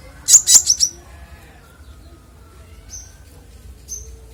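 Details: Clear-voiced konin singing as master audio for songbirds: a quick run of five high piercing notes fading into a thin whistle, followed by two soft, short, isolated whistles.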